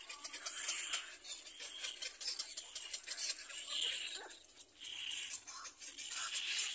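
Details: Baby little black cormorant begging its mother for food, giving continuous harsh, high-pitched squealing and wheezing cries with little pause, swelling and fading in intensity.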